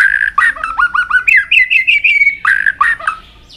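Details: White-rumped shama with tail-flicking, aggressive display singing a very long drawn-out song to stimulate other birds: clear whistled notes in quick series, rising and falling, ending in bright warbled bursts.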